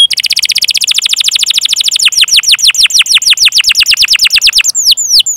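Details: Canary rolling cuit-cuit song for training: a very rapid trill of falling chirps that gradually slows into broader downward slurs, finishing with two or three sweeping high notes.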